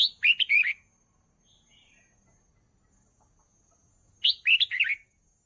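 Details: Red-whiskered bulbul singing for training young birds: two brisk, bubbly whistled phrases of about four notes each, four seconds apart, with near silence between.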